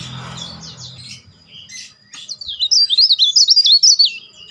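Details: For songbird training, a leaf warbler gives its shrill, loud whistling song: quieter downslurred notes over a low rumble at first, then after a pause a bright run of rapid zigzag whistled notes repeated about four per second.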